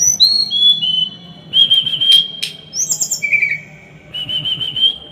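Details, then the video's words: Small songbird in a training recording meant for teaching pet birds to sing, with dense, harsh bursts: long, level, high whistled notes stepping between pitches, broken by sharp clicks and brief buzzy flourishes, with quiet background hiss. "Masteran burung kecil | Masteran tembakan rapat dan kasar"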